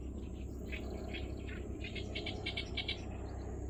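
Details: Oriental reed warbler singing an unusual song at Kurohama marsh, Hasuda, Japan, heard but not seen: harsh, grating chattered notes in quick irregular bursts, several per second, over a steady low rumble of background noise.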